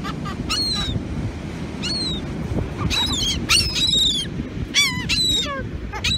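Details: Seagulls crowding while fed raisins on a North Carolina beach, giving repeated overlapping mewing and squealing cries, some wavering, against constant wind and surf noise.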